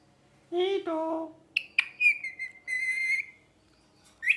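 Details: Talking pet ringneck parrot indoors: two wavering, voice-like harmonic phrases, then sharp squeaks leading into a clear, steady whistled tone held for about a second, ending with a brief bright squeak.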